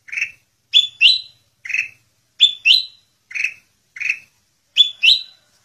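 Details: Sooty-headed bulbul (Pycnonotus aurigaster), song.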